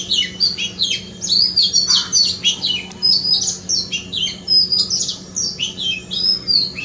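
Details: Oriental magpie-robin singing in a front yard, a continuous stream of high, varied whistles and sharp trills with no pauses, over a steady low hum.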